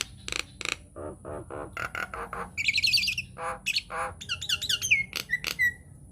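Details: Provocative master song of a Nias hill myna, played to get other mynas singing: harsh squawks and nasal chatter, a trilling high burst, then clicking notes and clear whistles sliding downward.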